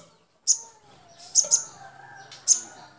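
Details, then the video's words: Sogon, or crimson sunbird, used as tutor material for training other sunbirds: sharp, very high chip notes given singly and in a quick pair, spaced irregularly, over soft lower whistled background calls. "MASTERAN SOGON PALING MUDAH MASUK"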